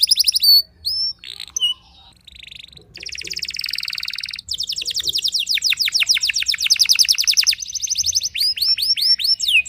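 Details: Canary song meant to provoke rival canaries: high whistled sweeps and trills, fast rolling repeated notes and buzzy bursts in quick succession, with faint low hum beneath.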